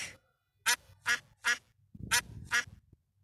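A duck gives a quick series of harsh, nasal quacks, about two or three each second.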